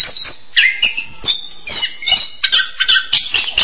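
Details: Orange-headed thrush singing a varied run of short bright whistled and chirping notes, some rising and falling, delivered in quick bursts with brief pauses between phrases.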